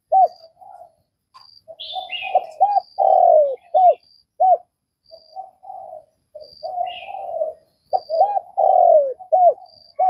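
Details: Vietnamese spotted dove singing low, rounded coos, softer hoots building to a loud drawn-out coo and short arched notes, phrase repeated twice; brief higher twittering of another bird heard between phrases.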